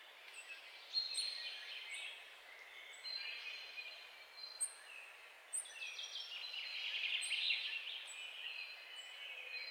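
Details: Carduelis carduelis, the European goldfinch, delivering a rapid twittering song with repeated thin high notes and quick liquid trills, steady background noise beneath.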